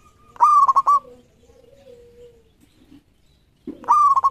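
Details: Local zebra dove (perkutut), a champion singer, recorded as a lure song; a loud cooing phrase of four quick stuttered pulses, then a soft low trailing coo, and a second phrase beginning near the end.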